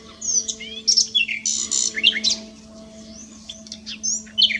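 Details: Common nightingale singing at S'Albufera: a varied run of whistled slurs, sharp chirps and short buzzy bursts, phrases shifting in pitch with brief pauses, over a steady low hum.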